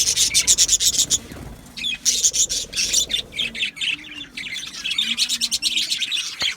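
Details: Budgie colony in an aviary, Australian budgerigars recorded 12 July 2025: bursts of quick, sharp repeated chirps alternate with softer warbling chatter from several birds.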